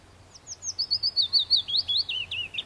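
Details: Willow warbler song: a soft, sweet descending phrase of about a dozen slurred whistled notes, starting high and gently falling in pitch over two seconds, with a quiet low background hum.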